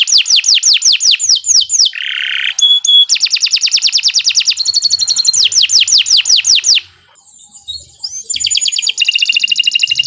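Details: Canary song used as a lure recording for training birds: fast series of down-slurred whistles, buzzy trills, rapid rattling rolls and pure whistled notes, switching phrases every second or two.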